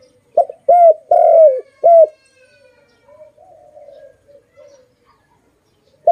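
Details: A pet dove gives four strong coos in a rapid burst, short notes around a longer sliding one, then trails off into faint, soft wavering murmurs.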